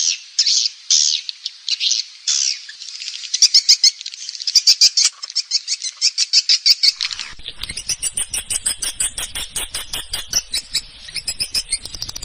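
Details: Indonesian swiftlet-farming lure of calling and roosting sounds: loud buzzy twitters in bursts at first, then a fast, even train of dry clicking chirps and high ticks continuing to the end.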